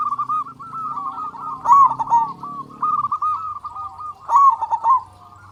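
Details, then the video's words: Loud local zebra dove singing steadily as a lure for quiet doves: chains of quick, even-pitched coos with two emphatic bursts, backed by a low droning hum that stops midway. "Perkutut Lokal Gacor Suara Besar Pancingan Burung Perkutut Agar Cepat Bunyi"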